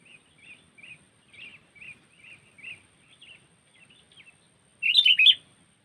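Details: Bulbul lure call for bird trapping: a series of soft, short whistled notes repeated roughly every half second, followed by a loud, rich burst of gurgling slurred notes near the end.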